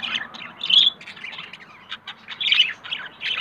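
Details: A pair of budgerigars, a yellow male and a blue female, pairing up and looking for a nest, chatter in quick, scratchy chirps and warbles, with brighter squeaky notes bursting out now and then.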